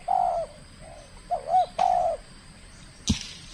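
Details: Kept spotted dove from Kepri, Indonesia, during its first contest bout. It gives a long coo, a fainter answering coo, then looping notes and a sustained coo. Two sharp knocks are heard, the second near the end.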